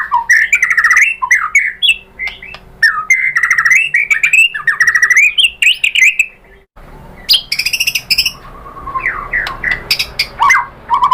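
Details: Shama song as a provoking lure: a long varied stream of rich warbled whistles, a brief lull, then scratchy high rattles mixed with liquid falling notes.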